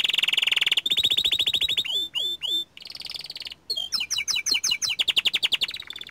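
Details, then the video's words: Young small-standard canary in lively song: a dense buzzy roll, a long train of rapid pulsed notes, three drawn-out swooping whistles, then quick repeated sweeps and fast trills. "Kicauan Burung Kenari Muda Gacor Standart Kecil"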